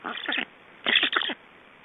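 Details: Black storks at a nest in Estonia during feeding, 19:48, played in slow motion. Two bursts of harsh, throaty, stuttering rasps, each broken into quick pulses.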